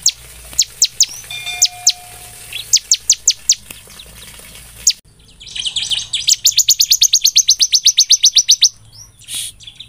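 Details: Bar-winged prinia lure song: spaced single high ticks at first, then a fast even train of about twenty sharp chips following a buzzy, scratchy burst.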